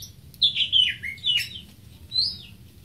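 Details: Greater green leafbird singing loud, liquid whistled phrases that tumble downward, followed by one higher rising-then-falling whistle.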